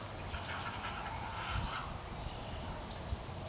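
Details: Three heron nestlings, nearly old enough to leave the nest, beg while eagerly awaiting a parent with another meal. Harsh, broad chattering squawks overlap through the first two seconds, then fade to quieter calls over a steady low rumble.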